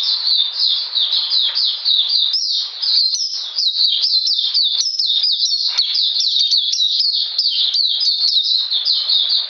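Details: Oriental magpie-robin in cold rainy weather, 13 June 2020, pouring out a long, dense, high-pitched song of quick chirps, trills and slurred twitters with barely any break throughout.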